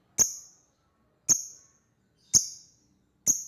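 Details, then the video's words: Lovebird calling out to an opponent: four sharp, shrill, high chirps, each with a brief fading tail, spaced about one second apart in a quiet background. "the sound of lovebird birds long choking lovebirds calls out to the opponent !!!"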